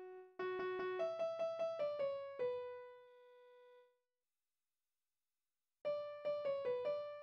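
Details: Bright piano phrases of repeated notes stepping downward, then a pause of near silence before the piano returns, with no animal sounds.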